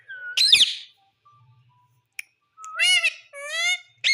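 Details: Parrot speaking: a harsh opening squawk, then two clear, drawn-out speech-like syllables with rich harmonics and a slight rise, in a quiet indoor setting.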